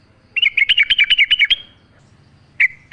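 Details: Sooty-headed bulbul in a lure recording meant to make birds sing. A rapid string of about ten bright, bouncing notes over one second, then a pause and two single sharp chirps.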